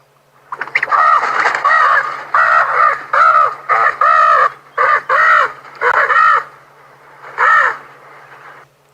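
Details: African spoonbill at sunset on safari, 2 February 2022, giving harsh, nasal squawks, about eight rough bursts, some short and some drawn out, over a low steady hum.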